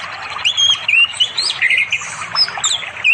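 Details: Orange-headed thrush singing in the afternoon to call a female for mating, beside a flowing river in unspoiled forest far from settlements in East Java, recorded on an Android phone; rapid whistled phrases rising and falling, over a steady high insect hum.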